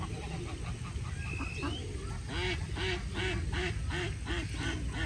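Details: Ducks living alongside pigeons in Puebla, Mexico, in 2020 give a run of short, nasal quacks about twice a second over a steady low rumble, with a brief thin rising whistle from another bird early on.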